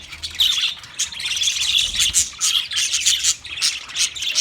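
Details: Budgies chirping, offered as company for a lonely bird: dense, continuous high twittering and chattering with squawky notes, several birds overlapping without pause.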